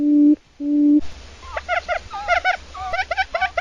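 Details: Quail calls used as a lure for trapping: a steady electronic tone for the first second, then short, clipped, harmonic notes given in quick irregular bursts.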